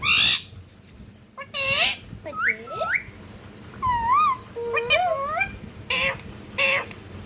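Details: Indoor pet ringneck parakeet mixing harsh broadband screeches with tonal, speech-like rising and falling syllables, in short bursts separated by brief pauses.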